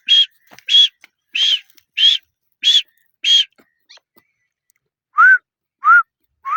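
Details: Grey francolin of the Deccani type, with male and female calls featured: six sharp, clear whistled notes about every half second, then three lower whistles that slide upward.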